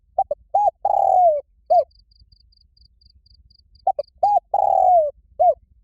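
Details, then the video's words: A spotted dove calling to fight, loud and ringing. It sings two full phrases a few seconds apart, each with brief double coos, a rounded note, a long downward-sliding coo and an end note. An insect-like high pulse ticks between them. "Tiếng chim cu gáy gọi bổi rất to và vang cu gáy gọi đấu"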